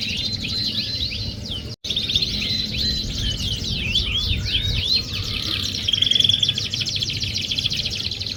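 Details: Canary singing, played to coax a quiet canary into song: fast high rolling trills and downward sweeps, a brief dropout near two seconds, then a steady sustained whistled trill toward the end.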